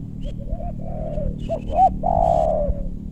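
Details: Spotted dove calling while wild doves are lured in meranti forest, West Bogor, Indonesia; a run of soft wavering coos builds to a sharp peaked note and a long, loud descending coo, with low background rumble.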